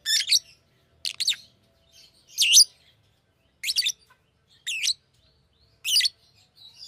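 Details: Fischer's lovebird repeating piercing, rasping chirps, often in twos, about once a second, with brief silences between bursts.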